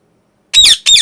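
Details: Angry pet parrot giving two loud, harsh screeches in quick succession, each about a quarter-second long, after a brief silence.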